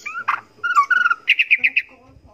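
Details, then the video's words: Short, softer phrase from a white-rumped shama contest bird: a few whistled notes, then a run of five quick, evenly spaced chips, heard against a quiet background. "MASTERAN MURAI BATU SI QOLBY LOMBA ISIAN SEKEBUN"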